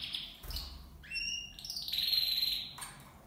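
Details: Copper mosaic canaries, two males and two females in a hanging cage, singing: clear whistled notes, rising sweeps and a sustained trilling note, soft background hum.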